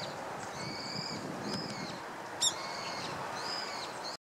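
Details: A female long-tailed rosefinch (Uragus sibiricus), recorded 7 February 2014, gives thin, high, soft whistled notes in short pairs, repeated several times over a steady background hiss, with one sharp click midway.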